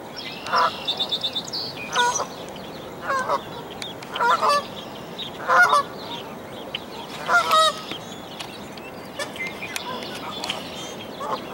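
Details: Canada goose by a nest in a dead tree, where five newborn goslings jump out to follow their mother after she leaves. Loud honks come in bursts about every one to two seconds, with high thin peeping between them.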